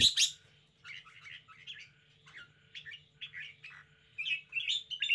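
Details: Red-whiskered bulbul, a caged bird in lively display, giving a loud opening squawk followed by strings of chattering, warbled notes of varying loudness, over a faint hum.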